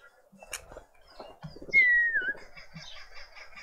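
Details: Karoo thrush at a feeder in a suburban garden in Pretoria, South Africa: one loud, drawn-out whistle gliding downward and ending in a slight wobble, preceded by soft clicks and rustling, with faint chirps of other birds behind.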